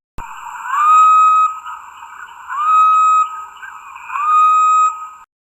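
Grey-headed Bushshrike giving three long, mournful whistles, each sliding up then held level, spaced about two seconds apart over a steady humming background.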